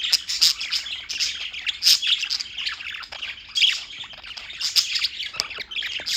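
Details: Several birds in New York chirp continuously: dense, overlapping high, sharp tweets and squeaky notes crowding the whole clip, with brief louder bursts near two and five seconds and no clear pauses.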